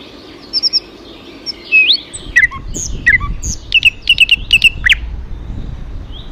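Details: Bird song of thin high notes and a rising slur, then a series of short, sharp paired chirps at an even pace, against rumbling low background noise.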